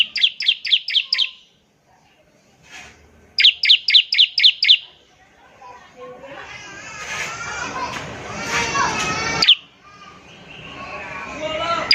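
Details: Bar-winged prinia (ciblek) in ngebren song, used to prompt other prinias: two runs of rapid sharp high chirps, then loud chattering voices and bird noise filling the rest.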